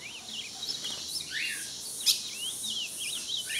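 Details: Ultramarine grosbeak, singing in front of another bird, delivers a quick run of clear, sliding whistled notes, rising and falling in mid-high pitch, over a steady high insect-like hiss, with other birds singing.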